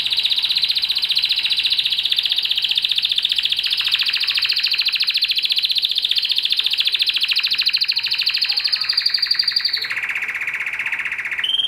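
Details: Spanish Timbrado canary singing a long, loud, metallic rolling trill held steady for nearly ten seconds, then dropping abruptly to a lower rattling trill before a brief higher note at the end.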